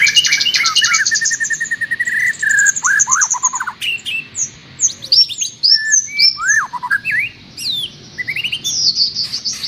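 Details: Trocok garuda cage-bird master: loud rich warbling phrases, rapid rattling sequences, then scattered varied high whistles, downslurs and chips, full and continuous.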